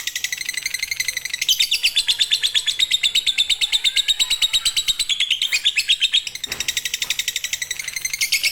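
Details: Konslet-style fighter lovebird singing as a master for birds that are lazy to sing: an unbroken, rapid, buzzy chattering trill of high, sharp notes that barely pauses through the clip.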